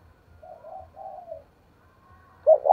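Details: Spotted dove with a fight-provoking coo aimed at luring wild doves. A soft run of four mellow hooting notes is followed by a pause, then the start of a louder coo cut off at the end.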